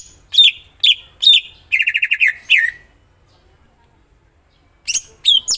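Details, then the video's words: Greater green leafbird singing: three sharp downslurred whistled notes, then a fast stuttering trill falling away, a silent stretch, and a renewed burst of piercing whistles. "Cucak ijo mana Saja akan ikutan bunyi dan gacor dengar c ijo ini bongkar isian full"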